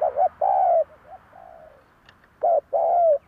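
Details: Spotted Dove cooing, a lure recording meant to make wild doves coo back: a short low stutter and a drawn-out throaty coo, a pause, then another hoarse two-part coo.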